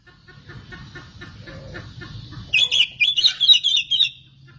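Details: Oriental magpie-robin singing as a lure for rival magpie-robins: soft background at first, then a lively burst of rapid, high chirps and warbled notes.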